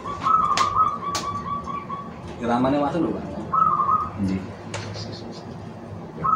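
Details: Local Indonesian zebra dove giving trilled coo phrases, one long warbling run then a shorter one after a pause, with a man talking in between over steady background noise.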